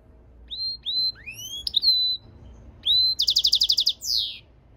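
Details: European goldfinch mule song: separate clear whistles, some rising steeply and some flattening out, followed by a quick pulsed trill and a final falling buzzy note.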